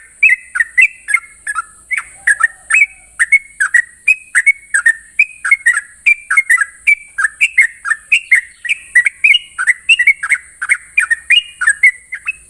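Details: Morning song of a sooty-headed bulbul in continuous 'ropel' style: a fast string of short, liquid whistled phrases, about three notes a second, rising and falling without pause over a constant thin high hiss.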